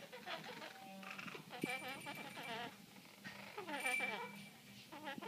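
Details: Female great-billed parrot talking, chattering in speech-like phrases with rising and falling tones, broken by thin, sharp whistles; a Goffin's cockatoo may be calling too.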